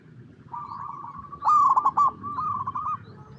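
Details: Zebra dove cooing in natural habitat: a soft wavering coo, then a louder burst of rapid stuttered notes, then a gentler trilled coo trailing off, over faint low background rumble.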